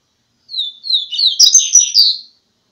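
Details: Coleiro, the double-collared seedeater, delivering a first-quality song phrase: opening with drawn-out descending whistles, then a dense, fast run of warbled and buzzy high notes lasting under two seconds before silence.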